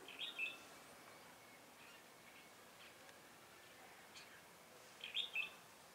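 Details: Red-whiskered bulbul used to lure wild birds into a trap: two brief bright chirruping phrases about five seconds apart, with quiet hiss between them.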